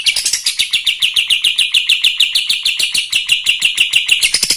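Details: Kapas tembak chattering continuously to rile up other birds: a steady stream of quick, sharp, high-pitched notes, about three or four a second, with no pauses.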